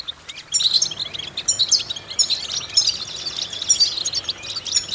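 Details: European goldfinch song for vocal exercises: after a quiet half second, a busy, high twittering of clipped chirps and sparkling trills in short bursts.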